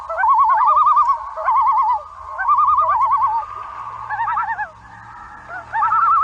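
A loon gives quavering, laughing tremolo calls in several wavering bursts.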